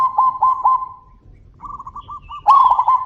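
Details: Calling zebra doves: a run of three looping coo notes, a softer rapid trilled reply, then a loud rich rolling cooing phrase breaking in at the end.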